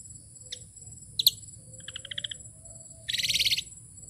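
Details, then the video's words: Tame Asian pied starling giving a short phrase: two sharp high notes, a run of quick paired chirps, then a loud buzzy rattle, over a steady high electrical whine. "burung jalak suren ini jinak banget,suaranya bikin ngiler full isian"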